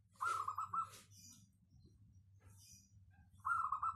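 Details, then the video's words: Local wild-type zebra dove with a clear, dense voice, used to draw other doves into singing: a rolling cooed trill near one pitch, a second phrase starting near the end, over a low steady hum. "Perkutut lokal suara cristal padet cocok buat pancingan"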